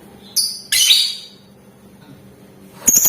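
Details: Lovebird singing in gacor ngetik ngekek style, a call meant to make other lovebirds respond: a short sharp screech, then a longer rasping burst, a pause, and a final harsh chirp.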